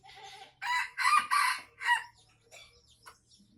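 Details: Tame red junglefowl from Aceh crowing: a loud burst of harsh, harmonic syllables over about one and a half seconds, the final note set slightly apart, then faint soft clucking and rustling in a quiet setting.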